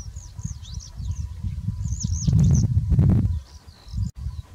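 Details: Motacilla flava feldegg, the black-headed form of yellow wagtail, gives a quick series of high curved chirps, then a pause filled by loud low buffeting noise before a last faint chirp and a sharp click.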